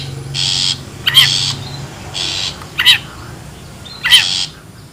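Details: Wild long-tailed shrike, recorded for luring birds: three harsh, hissing rasps spaced about a second apart, each with a sharp, wavering, upward-bending note, over a faint low hum.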